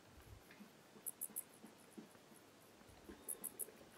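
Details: Tropical Kingbird defending its territory against a Yellow-headed Caracara, giving very high, thin chips in two quick bursts of three, well apart. A soft low rumble runs underneath.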